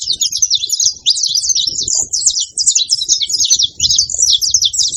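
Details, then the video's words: A group of saffron finches making noise at a feeder: constant overlapping high chirps and quick twittering phrases, with faint low knocks and rumble in the background. "Canário da terra junto fazendo barulho na seva"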